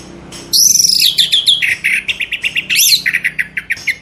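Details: Orange-headed thrush, played as a lure to get birds singing: a bright rising whistle followed by a rapid series of short clipped notes repeated evenly, with a high sweeping phrase midway, against a quiet hum.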